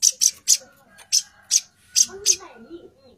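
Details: Female plain-throated sunbird calling to the male: a series of very high, sharp chip notes given in quick pairs and singles about every quarter second, followed by faint lower murmuring in the background.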